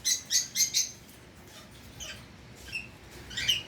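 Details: Pet Indian ringneck parakeet uttering four quick, sharp high chirps in a row, then scattered fainter squeaky calls after a short pause.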